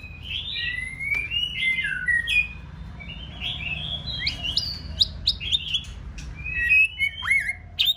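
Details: Female white-rumped shama singing to excite a male ahead of the breeding season, with fresh plumage: a steady run of clear whistled phrases and short rising slurs over a low hum.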